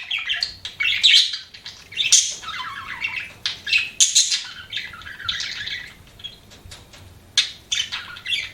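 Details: Budgie chirping in bursts: harsh squawky notes and scratchy warbled phrases separated by short pauses, some sharp high clicks.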